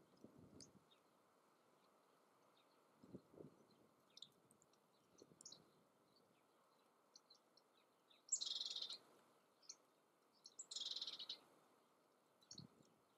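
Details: Yellowhammer (Emberiza citrinella) song in the Eifel, Germany: two phrases, each a quick dry rattle of high notes, about two seconds apart, amid scattered thin chips from other birds and a few low thumps.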